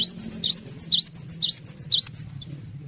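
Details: Cinereous tit singing, used as a lure to trigger responses from other birds: a dense, lively stream of high whistles that alternate between dipping-then-rising notes and paired level notes.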